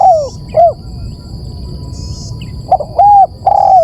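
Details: Spotted dove calling on a lure recording: the tail of one coo phrase, then a full phrase of a brief hoot and two longer, smooth, downward-sliding coos, with light background hum.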